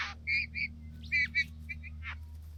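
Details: Two young bowerbirds at their bower, excited after discovering blue objects and dancing: short clear whistled notes in pairs, a few softer chirps, then a brief buzzy rasping note, over a steady low hum.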